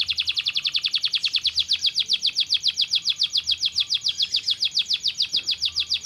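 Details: Canary song aimed at getting lazy birds to sing: a continuous, very regular high rolling trill, about seven notes per second, steady in pitch and loudness throughout.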